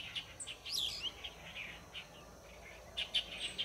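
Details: Large noisy flock of light-vented bulbuls, which had come down to a nearby waterway to drink and bathe, recorded 7 March 2024; scattered bright chirps and short warbled phrases from several birds, over a faint steady hum.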